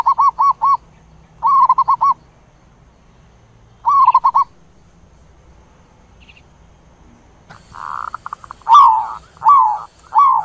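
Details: Zebra dove giving a flock-gathering call: quick bursts of four or five soft, staccato cooing notes every couple of seconds, ending in louder, slurred coos over a faint background hiss.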